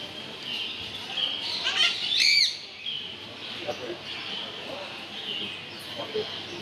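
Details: Green Eclectus parrot talking, saying hello and bye bye: a short, loud, arched harmonic utterance near the middle with fainter voiced sounds around it, over steady background hiss.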